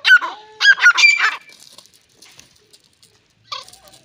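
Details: A Dakhani teetar, or grey francolin, calls in loud, raucous bursts: three quick grating phrases in the first second and a half, a quiet stretch, then one short harsh phrase near the end.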